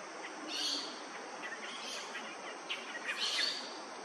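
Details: Australasian figbird, a male preening in the tropical sun in Far North Queensland on Yirrganydji Country, giving a few scratchy high bursts spaced about a second apart over a constant insect buzz.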